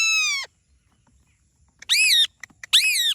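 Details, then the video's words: Talking parrot: a loud, rich harmonic screech falling at its end, a half-second pause of silence, then two arched, nasal calls rising and dipping, close and clean with no other sounds. "Talking Parrot Natural Sound"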